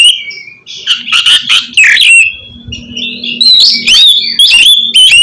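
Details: Oriental magpie-robin song for training a reluctant bird to sing: a dense mix of harsh notes and whistles, with a low hum in the background, ending in loud clear slurred whistles.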